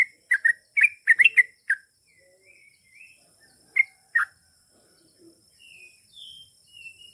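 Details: Sooty-headed bulbul in 'ropel' song: a quick run of bubbly, slurred notes, a gap, two more sharp chirps, then quiet with faint distant whistling birds and a steady high hum.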